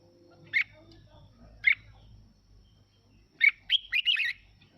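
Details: Singing red-whiskered bulbul ('mào mộc' type), its song played to excite other birds into singing along: two isolated sharp chirps about a second apart, then after a gap a rapid, lively phrase of four or five warbling whistled notes.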